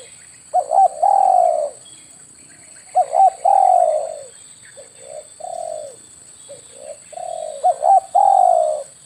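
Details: Hunting lure call of a spotted dove, with three phrases spaced about three seconds apart. Each is a short bouncing double note then a drawn-out, gently descending coo, with softer separate coos between them.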